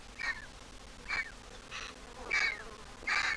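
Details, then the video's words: Griffon vulture nestling from a Jerusalem Biblical Zoo egg, grown in its nest. Short scratchy squeaks with falling tails, five in quick succession, against a light hiss. "The Griffon Vulture nestling is all grown up but still a squeaker."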